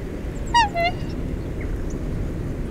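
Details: Black Swan at the Western Treatment Plant, Victoria, Australia, gives two quick, bugling notes, the second lower, over a steady low rumble of wind or distant traffic.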